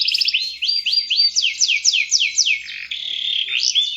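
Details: Canary singing varied phrases: quick chirps, upward-curving whistles repeated in a steady series, then long sweeping slides and a sustained high buzzing note.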